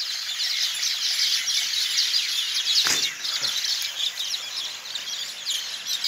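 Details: Mynas calling from the trees at night: a dense, continuous chorus of overlapping high squeaky chirps and chatter from many birds, steady throughout, with a brief thump near the middle.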